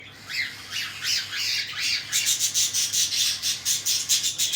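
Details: Cockatiel chicks begging while being fed by their parents: harsh, raspy squawks that quicken into a rapid, pulsing run of rasping bursts in the second half.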